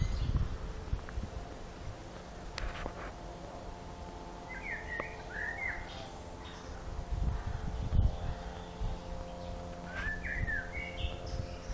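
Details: One bird's extended song repertoire at Zmajčkova pot, Slovenske Konjice, Slovenia: brief jumbled whistled phrases of rising and falling notes, separated by pauses of several seconds, with a constant low hum and occasional knocks.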